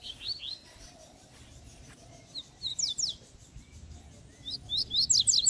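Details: A young female Double-collared Seedeater sings outdoors at a bush singing session: quick bursts of high, slurred, sweeping notes, pausing between phrases and speeding up toward the end, over a faint low hum.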